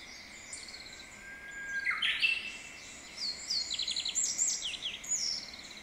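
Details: Japanese bush warbler singing a well-practised song in a mountain valley, slightly echoing: a soft long whistle rising into a sharp accented flourish, then scattered high chirps and twitters from other birds.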